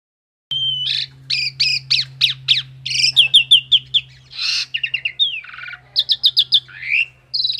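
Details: Javan pied myna, a half-mature local male trained as a singing bird, gives a varied run of loud whistles, rising sweeps and rapid repeated chattering notes, with a steady low hum beneath throughout.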